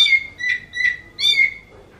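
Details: Oriental magpie-robin giving kitten-like mewing notes: four clear, slurred whistles, each swelling and fading, in two pairs about half a second apart, with a quiet background.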